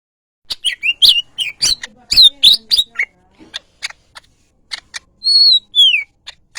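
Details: Greater green leafbird, yellow-headed, singing a varied run of sharp high chirps and rapid clicks, then short whistled notes, a slurred falling whistle and a buzzy note near the end.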